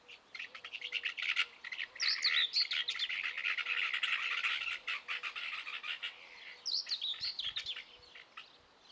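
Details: Young helmeted guineafowl calling; dense rapid chirping and squawky peeping from several birds in an overlapping chorus, with higher squealing notes in bursts and a low steady hum underneath.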